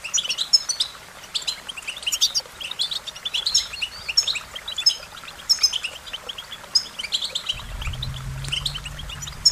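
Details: An American goldfinch pours out rapid, high, chattering song with scattered whistled notes; a low steady hum enters near the end.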